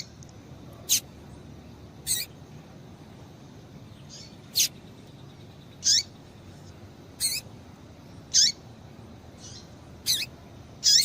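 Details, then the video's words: Calls of a female double-collared seedeater meant to excite a male into singing: thin, high, down-slurred chips repeated roughly every one to one and a half seconds, about nine notes, over faint constant background noise. "Piado de Fêmea de Coleiro Para Esquentar Coleiro"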